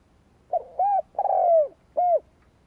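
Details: Decoy spotted dove cooing to provoke rivals. Four short, mellow, hollow coos: two quick notes, a longer falling one, then a final note after a pause.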